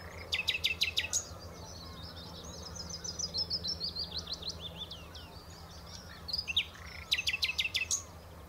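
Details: Common nightingale at the Horsmeertjes on Texel: fast percussive rattles open and close a run of warbling, chattering phrases, set against a steady low hum.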